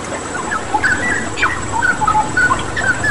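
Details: A straw-headed bulbul delivering bright, mellow whistled notes in short bursts, several sliding upward, against a constant backdrop of splashing water and a thin high tone.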